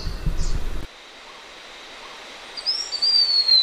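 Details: Noisy rustling stops abruptly, then a quiet gap follows. A Blue-winged minla then gives a thin, high, sustained whistle that rises briefly, holds, and gradually falls in pitch.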